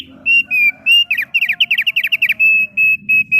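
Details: Thick-billed heleia song of sustained clear whistles alternating with a fast run of short bouncing notes, then steady repeated whistles; a faint low hum underneath.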